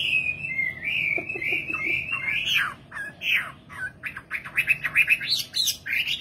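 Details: Nightingale singing, opening with long wavering whistled notes, then breaking into sharp clicks and a fast stuttering series of short chirps.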